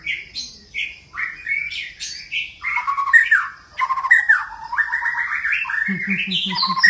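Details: White-rumped shama (Copsychus malabaricus) sings a rich, varied run of quick whistles, chattering trills and rising slurs, about one phrase a second; a lower pulsing buzz joins near the end.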